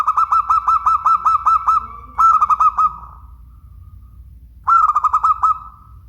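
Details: Local zebra dove (perkutut) from Indonesia cooing in three clear bursts: a long run of quick, evenly pulsed, rolling notes, then two shorter trilled phrases, each fading into a soft tail, with low hum beneath.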